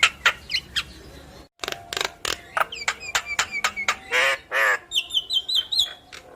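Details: Yellow-eyed black-winged myna singing energetically while bobbing its head, meant to set other mynas singing: sharp clicks and dry ticks in quick series, harsh buzzy notes, then a run of bright wavering whistles near the end.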